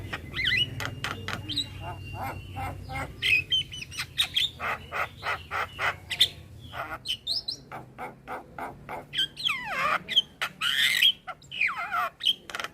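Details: Adult male Javan myna performing a full varied song to tutor a young bird: rapid clicks, rattles, harsh squawks and whistled slurs in a long, rambling sequence.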